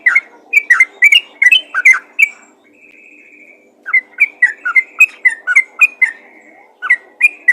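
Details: Sooty-headed bulbul calling to other bulbuls: bright, bubbly whistled notes in quick irregular bursts, a short steady whistle, a pause, then another run of repeated chirpy phrases.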